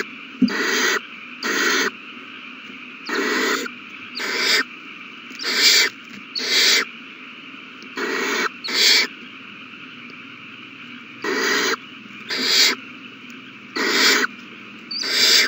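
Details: Owl chicks at the nest during a meal, 27 March 2020: paired and single raspy hisses repeating through the recording, a pause near the middle, over a steady electrical hum.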